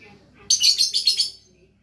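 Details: Lovebird in lively song, a burst of harsh, rapid high-pitched chirps lasting under a second, with quiet room sound before and after.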